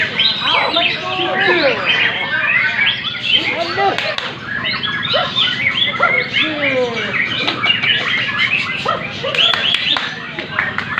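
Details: Murai batu (white-rumped shama) performing in a Medan singing contest at post number 10, delivering a dense, continuous run of varied whistles, downward slurs and quick trills amid competing birds and a steady murmur of people.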